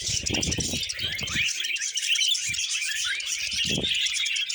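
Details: Several budgerigars warbling while eating vegetables, with a constant high chattering song of short squeaky notes, plus repeated low thuds and rustles from the meal.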